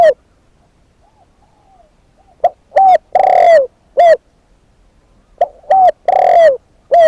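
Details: Spotted dove used as a decoy bird, repeating low coo phrases of short clipped notes and a long rolling coo that falls at the end. Faint softer coos come in between.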